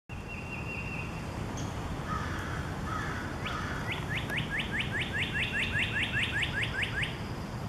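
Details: [1, 'Northern cardinal singing beside a tulip magnolia swaying in the breeze; a steady whistled tone and soft notes open, then a fast run of about a dozen bright, downslurred whistles, over constant low breezy rumble.']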